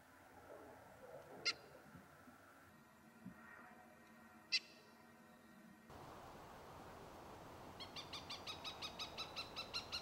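Cooper's hawk giving a rapid series of about a dozen harsh, high cak notes, roughly five per second, after two single sharp calls; faint background hiss.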